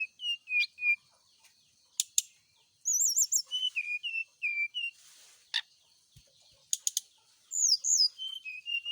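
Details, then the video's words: Kept brown-chested jungle flycatcher set out in morning dew to make it sing often. Short clear whistled notes, some dipping and wavering, come in quick groups with pauses, plus a few sharp clicks and a soft rustle. "pengembunan SRDC di pagi hari biar rajin bunyi"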